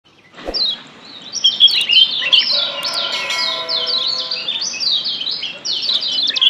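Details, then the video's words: Yellow white-eye from Lombok, described as wild, used as a lure to make other birds sing actively; rapid high chirps and slurred notes, rising and falling, in a dense continuous stream, with faint lower tones in the background. "Ciak Joss Kecial Kuning ALAM LIAR‼️PERANGSANG Ampuh Bikin Kecial AKTIF BUNYI‼️"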